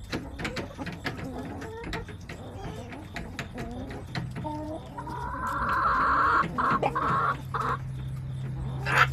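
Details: Backyard hens clucking on a homestead camera recording dated September 21, 2024: a run of short rapid clucks, then a long, loud drawn-out squawking call, with steady low background hum.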